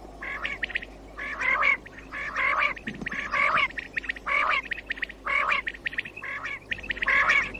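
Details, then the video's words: Common quail calling, recorded for morning hunting, batair call: bright three-note bursts around one to two kilohertz repeated roughly once a second, each burst crisp and clipped, over a steady low hum. "COMMON QUAIL CALLING 2019 BATAIR KI AWAZ SUBA KI SHIKAR KI LIYE"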